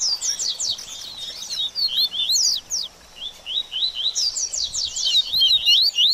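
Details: Double-collared seedeater singing a post-moult stimulation song: rapid sweeping whistles and chirps in tight bursts, a short gap near three seconds, then another lively twittering run.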